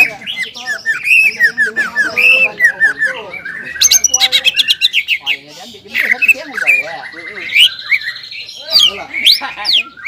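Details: Caged greater green leafbird in energetic, emotional song: dense whistled warbling and harsh notes, a burst of rapid repeated clicks near four seconds, then long sliding whistles.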